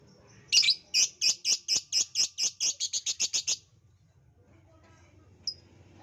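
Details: Lovebird chirping for a lure meant to get other lovebirds singing: a rapid run of about fifteen shrill, high chirps over three seconds, then quiet with one last short chirp.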